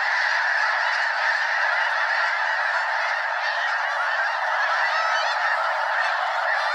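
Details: Snow Geese in a flock exceeding 200 birds fly around Limestone Bay at Wheeler National Wildlife Refuge in North Alabama; thick, even chorus of nasal yelps and honks.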